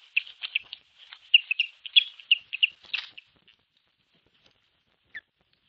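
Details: Osprey guarding its nest against an intruding osprey, 21 April 2023, on a nest camera: a rapid, excited string of high whistled chirps for about three seconds, then a pause and one last note.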